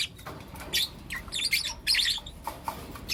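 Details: Four young lutino lovebirds chirping in the morning; scattered harsh chirps and short squeaky bursts spaced about half a second apart over a steady low hum.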